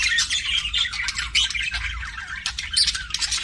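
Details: Several pet budgerigars in a loud, steady chorus of grating squawks and warbles, the chatter unbroken for the whole stretch with occasional sharper peaks.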